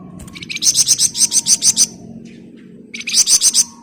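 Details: Flamboyan bird delivering a long, dense 'ngebren' phrase of about ten rapid, bright, high-pitched notes, followed after a short pause by a second quick burst, with low background rumble.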